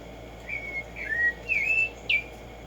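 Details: Black-striped sparrow, Arremonops conirostris, known as tumba yegua or tico tico, singing in the morning in nature: four clear whistled notes, some slurred downward and one rising then falling, over a steady hiss of background noise.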